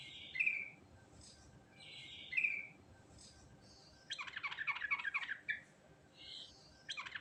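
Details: Natural rolling (ngerol) song of a sooty-headed bulbul: two clear whistled phrases about two seconds apart, then a quick jumble of bubbly, warbling notes and a few softer whistles.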